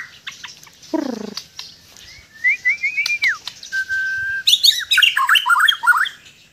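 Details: White-rumped shama of Sabah singing at ease: a low buzzy descending note, a run of rising slurred whistles, a level held whistle, then a fast jumble of high chattering notes.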